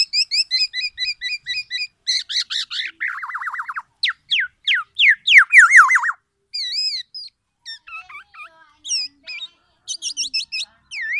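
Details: Loud, resounding song from a tame, talkative black-naped oriole: varied rapid phrases of paired chirps, downward-sweeping whistles and rattling runs, then wavering whistles and sharp chips, with brief pauses between bursts.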